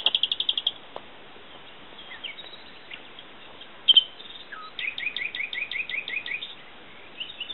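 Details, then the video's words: Common nightingale song: a quick train of repeated notes, scattered whistles and a sharp note, then a long rhythmic series of repeated chirps, over steady hiss. "El canto del ruiseñor"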